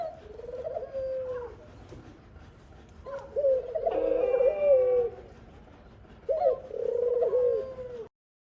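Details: Khumra, or dove, with a mother feeding her young. Three drawn-out, mid-pitched cooing phrases, each about a second and a half long with a slight waver, separated by quiet gaps, over a faint background hiss.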